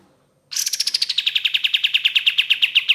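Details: Ashy tailorbird used as a lure, giving a long energetic trill of around thirty sharp repeated notes, starting high and easing lower, delivered fast and evenly.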